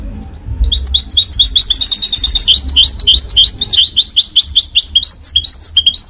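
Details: Goldfinch-canary hybrid song: after a brief quiet start, continuous rapid twittering and repeated chirped notes, with a faint low hum behind.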